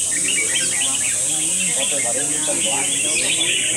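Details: Red-whiskered bulbuls in a singing competition trade quick, bubbly, chirping phrases in a rapid jumble, several birds at once, over a steady murmur of human voices and music and a constant high hiss, at night in Indonesia.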